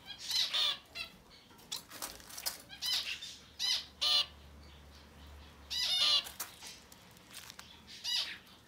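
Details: Rapidly growing Society finch babies, up to ten days old, burst into loud rasping, stuttering cries in clusters of several quick pulses, pausing briefly between each burst, repeated again and again.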